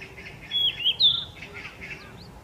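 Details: A Yellow-rumped Flycatcher, a summer visitor singing often, in Gyeonggi-do, South Korea, on 4 May 2024, gives two short, clear, high whistled phrases about half a second apart, with faint chirps in the background.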